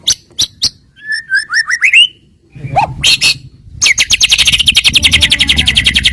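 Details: White-rumped shama song played as a lure to make rival birds sing back: a few sharp clicks, a rising run of whistled notes, then a loud, rapid, buzzy rattle over low background noise.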